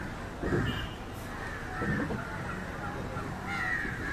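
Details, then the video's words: Indian jungle crow calling while feeding on fish; a few harsh, hoarse caws spaced irregularly, one near the middle and another toward the end, over low background rumble. "Indian Jungle crow (Corvus culminatus) Call"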